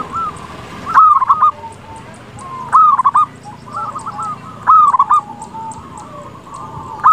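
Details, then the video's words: Lively local zebra dove whose song is used to make rival doves answer quickly: mellow gurgling coos with loud, stuttering bursts about every two seconds over light background noise. "Perkutut lokal gacor suara cocok untuk pancingan pasti bikin lawan cepat nyaut."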